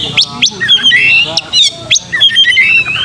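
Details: Oriental magpie-robin lure song meant to stir a young bird into a fighting mood, singing fast and spreading its tail: abrupt rising whistles repeated, mixed with clear fluty notes and rapid chirping trills.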